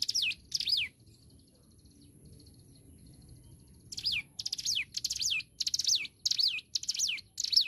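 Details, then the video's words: Hill prinia singing vigorously: a brief pair of phrases, a pause of about three seconds, then a steady series of phrases. Each has quick clicking notes followed by a sharp high whistle sliding downward. Low background rumble. "Ciblek gunung Gacor"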